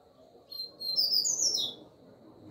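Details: A female double-collared seedeater in breeding condition, calling to rouse a male. She gives a quick, high, thin chirping run of piping notes, rising and falling, lasting about a second.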